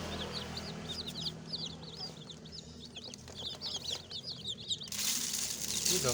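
A crowd of baby chicks peeping together, quick high chirps tumbling over one another; near the end a rush of rustling noise covers them, over a low hum.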